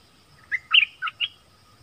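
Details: Brief phrase from a nok dok taeng used to duel wild birds with 'pleng berb' double song: four rich whistled notes, the second loudest and warbled, over a faint steady hum.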